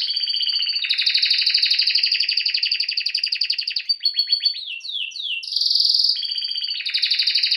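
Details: Canary in full song: sustained rapid rattling trill, a run of quick downslurred notes, then a bright loud trill and renewed rolling tour.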